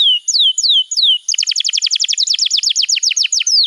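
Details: Canary song played as a master for young canaries, opening with three slow falling whistles, then a fast repeated series of sharp downward-sweeping notes.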